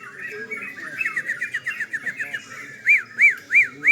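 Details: Sooty-headed bulbul in a night-time singing contest. Faint, quick arched notes are followed by four loud, clean rise-and-fall whistles spaced about a third of a second apart, with other birds softly in the background.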